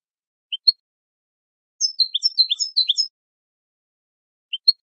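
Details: European goldfinch song for training birds: a brief rush of tinkling, tumbling twitters lasting about a second, framed before and after by single paired chirps rising in pitch, with nothing else heard.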